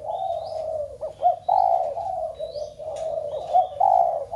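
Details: Spotted dove coos continuously to prompt other doves at home to coo: an almost unbroken run of low hoarse coo notes with brief looping accents, plus thin rising whistles from other birds.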